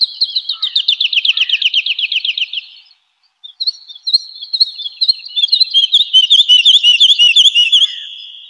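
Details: Spring forest woodlark song: a fast trill of repeated liquid notes, silence, then a slower phrase of looping, down-and-up whistles building into a rich warble.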